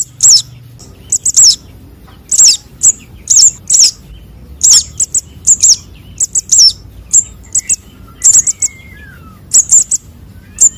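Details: Konin and sogon sunbird chicks calling, used to attract birds: shrill, high, downslurred squeaks with short chips, about one per second throughout, irregular rhythm, and a faint lower whistle midway.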